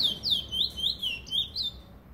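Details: Trinidad bullfinch singing a clear, high warbled phrase of sweeping whistled notes that slide up and down, loud and continuous, with a faint low hum underneath.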